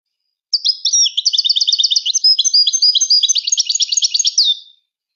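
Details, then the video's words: A Moroccan goldfinch sings a four-second, unbroken, bright twitter mixing rapid repeated trills and chattering notes, rounded off by a falling whistle, over silence. "أفضل تغريد الحسون المراكشي"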